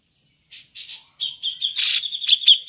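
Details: Cucak jenggot calling in the ngepik style as a lure for other birds: a few buzzy rasping notes, then a steady ringing tone broken by loud harsh bursts.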